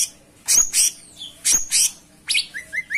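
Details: Cucak cungkok giving two loud, harsh double bursts, then a run of short rising whistled notes.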